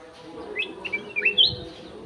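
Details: Aviary-kept golden-fronted leafbird giving a short burst of sweet, clear chirps and upslurred whistles that climb in pitch toward the end, against a low background hum.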